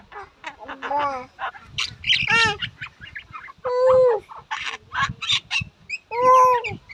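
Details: Common myna (shalik) calling: a varied run of gurgling, croaking and whistled notes with strong harmonic bands, some slurred upward, others clipped, delivered in quick uneven bursts with short pauses between them.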